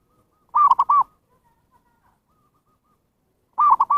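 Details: Zebra dove lure calling for wild birds, two matching three-note cooing phrases three seconds apart, long-short-long, clear over a silent background.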